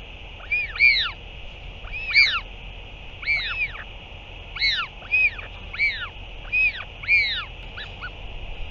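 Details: Northern royal albatross, parent's return and chick feeding on 8 June 2023: paired, strongly arched whining notes that swoop up and down, repeated roughly every second in a steady run of eight or nine phrases.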